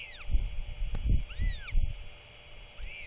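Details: Royal albatross chick calling as its father visits to feed it just before dark on 27 March 2024; several thin, arching, mewing calls rise and fall, set against gusty wind noise.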